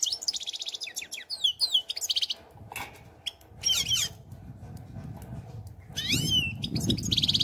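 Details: European goldfinch song, with bright twittering phrases and slurred rising and falling notes broken by short gaps, over a low rumbling background noise.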